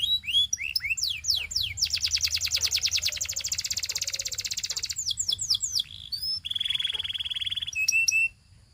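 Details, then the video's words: Canary singing, a song offered for training: loud, varied phrases of quick sweeping whistles, fast buzzy trills, a long rapid rattle and a sustained rolling tour, with shifting pitch and brief pauses between sections. "Make Your Canary Sing All Day Long!"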